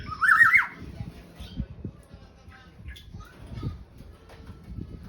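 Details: Black-naped oriole (kepodang) singing actively: a single loud, fluty, warbled phrase at the start, then faint scattered whistles over soft low murmuring and knocks.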